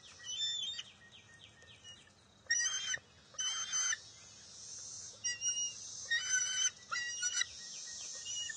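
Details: Bald eagle eaglet at its nest on June 23, 2021, refusing to share a fish after its mother grabs it, then stealing it back. Series of short, high, harmonic squealing calls in uneven bursts, with faint chirps before and steady background hiss.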